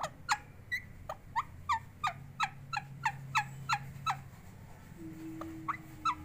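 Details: Pet parrot described as talking repeats a short, clipped, downward-flicking chirp about three times per second for several seconds. After a pause it gives a few more chirps, and a faint low steady tone runs underneath.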